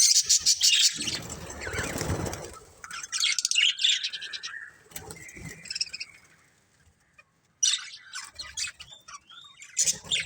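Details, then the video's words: Colourful budgies from a family group chirp and warble in scratchy bursts, interrupted by a stretch of broad rustling noise early on, followed by a brief near-silence before the chatter resumes. "Cute Colourful Budgies Chirping Sounds"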